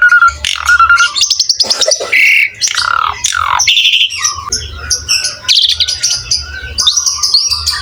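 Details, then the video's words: Tutor-recording gacor song from an Asian pied starling: short steady whistles, buzzy trills and rasping squawks in quick succession, with sliding whistled notes and repeated level whistles later, over faint low rumble. "MASTERAN BURUNG JALAK SUREN GACOR"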